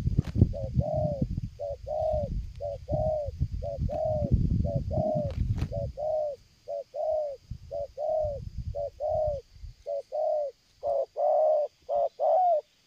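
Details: Spotted dove calling strongly and nonstop during bird luring, approaching from afar: steady mellow coos in short-then-long pairs, roughly one note a second, with low rumbling noise under the first half that then clears.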